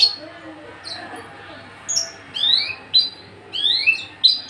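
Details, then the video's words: Caged male Javan bush lark, tame and unringed. It gives scattered high notes, then repeated pairs of rising whistled slurs at roughly one-second intervals over a low background hum. "branjangan javanica MH nonring jinak galak siap jadi pejantan gacor dor"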